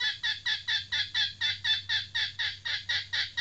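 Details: Trained female red junglefowl decoy giving a steady series of loud, harsh cackles, roughly two to three each second, every note dropping in pitch, over a faint low hum.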